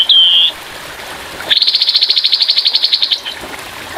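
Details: Grey-headed babbler: a short, clear, slightly wavering whistle, a one-second pause, then a fast rough 'tembakan' trill of about twenty evenly spaced sharp notes. Soft trickling water continues in the background.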